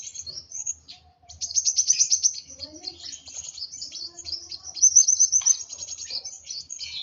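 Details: Agitated sunbird, locally kolibri wulung, giving a brisk high chatter that includes a quick run of sharp clicks, followed by tumbling thin chirps.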